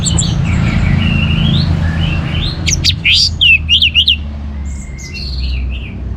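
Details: Orange-headed thrush singing vigorously: thin whistled notes, then a quick burst of sharp, rising and falling chirps midway, over a steady low rumble.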